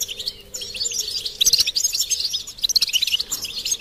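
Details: A group of goldfinches twittering to prompt a quiet male into song: quiet start building to lively, high, jangling chatter with sharp chirps and trills overlapping toward the end.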